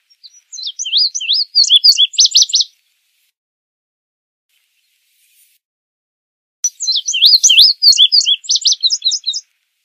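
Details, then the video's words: Two complete indigo bunting songs separated by several seconds of silence, each a rapid series of high, paired, sharply slurred notes running about two seconds. "Azulejo Indigo Canto! Llamado! Sonido! Cantando! - Indigo Bunting Song - Passerina Cyanea"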